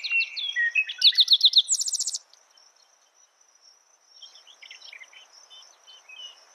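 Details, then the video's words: One spotted towhee phrase of staccato notes running into a fast buzzing trill, preceded by other birds' whistles and followed by soft distant chirping over a faint insect drone. "Spotted Towhee Bird Sound, Bird Song, Bird Call"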